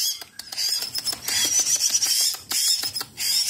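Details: A 17-day-old hand-fed hybrid myna chick (Javan myna × Bali myna), still hungry while being fed crickets, gives harsh, high, raspy bursts about every half second, with faint rustling between calls.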